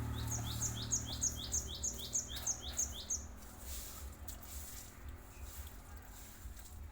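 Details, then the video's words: Cinereous tit singing, a call used to lure untrained birds of its kind: a quick even series of about ten clipped, high, downslurred notes over three seconds, then only background hiss and low hum. "Kicau glatik batu ampuh buat pancingan glatik bahan"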